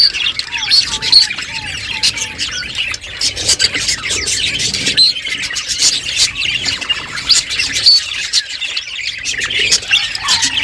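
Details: Several pet budgies chirping while eating: dense, high warbling chatter with sharp clicks throughout, and a few short whistled notes lower in pitch near the start and end.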